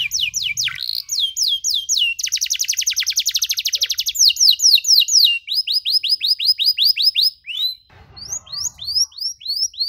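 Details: Energetic 'gacor' canary song with long 'nembak' bursts, aimed at young canaries learning: varied high phrases including a very fast dense trill, rows of hooked whistles and quick sweeps, with faint knocking noises in places.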